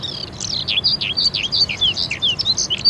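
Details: A crested lark from Islamabad, Pakistan, sings a rapid string of sweet, high whistled notes with sharp downward and upward slurs, each note brief and closely spaced, with no other clear sounds.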